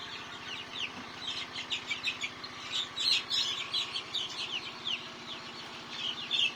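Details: Chickens fighting, giving rapid, high, thin chirping calls in irregular bursts of roughly three per second, overlapping and rising and falling in loudness throughout; a brief low thump near the start.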